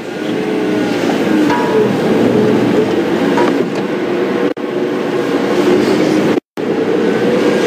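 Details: A loud vehicle engine rumbles continuously on a morning safari drive, with two brief dropouts to silence and no animal voices.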